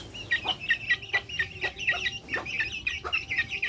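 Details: Backyard chickens calling: a busy run of short, high, chirpy notes from several birds, overlapping every few tenths of a second, over a steady faint hum.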